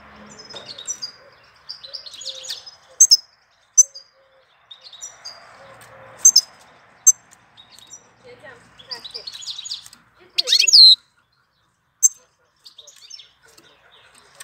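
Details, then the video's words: Bird song in April: scattered high, thin chirps and twittering notes with sharp short clicks, one louder buzzy burst midway, over faint background noise. "Cântec sticlele luna aprilie"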